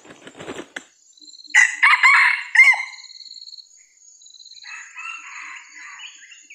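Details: Wild Sumatran red junglefowl approaching a hunter's decoy lure in early 2021 gives a loud, harsh, clipped crow of several quick syllables lasting about 1.5 seconds, with softer buzzy calls, early rustling thumps and steady high insect whine.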